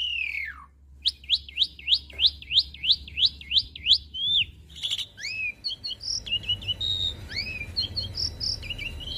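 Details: Asian pied starling song as a master recording for young birds to copy: about ten rhythmic rising-falling whistles roughly every third of a second, followed by scattered chirps and short whistles.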